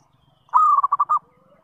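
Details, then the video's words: Zebra dove (perkutut) singing as a lure for other zebra doves: a clear prolonged coo ending in four quick, evenly spaced pulsed notes, followed by a soft fading whistle. "SUARA PANGGILAN PERKUTUT - PANCINGAN SEMUA JENIS PERKUTUT"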